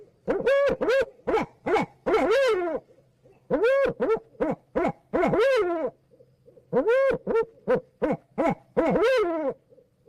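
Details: Unidentified bird calling loudly in clusters of rich, arched notes, each rising then falling, delivered in quick bursts of several notes separated by short pauses, against a quiet background.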